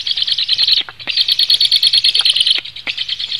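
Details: Black storks in Latvia at feeding time, 17 July 2015 at 16:57: dense, high, squeaky chirps pulse rapidly about three times a second in an almost unbroken chorus, with one short pause near the first second.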